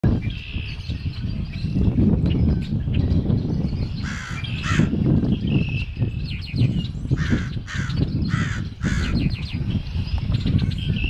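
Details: A crow cawing in late afternoon on Good Friday 2010, after a morning of heavy rain and wind. Harsh, repeated caws stand over steady low rumbling background noise.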